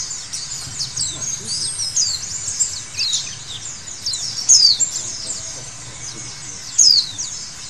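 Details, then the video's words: White-eye singing track used as therapy for cage birds, full of high, rapid twitters and slurred whistles from several birds, with sharper loud notes near four and a half and seven seconds and a quiet background hum. "Terapi Pleci Segala Kondisi Bikin Gacor!!!"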